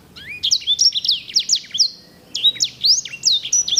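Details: Singing finch (sanger) kept as a songbird, singing a lively series of quick slurred whistles and rising, sliding notes in two rapid phrases, each note sharp and bright, over a quiet background.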